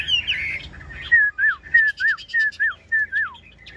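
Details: Caged yellow-billed Chinese hwamei, about 85 to 90 percent tamed, heard while it is raining; a brief burst of warbling gives way to clear, downslurred whistles repeated roughly every half second.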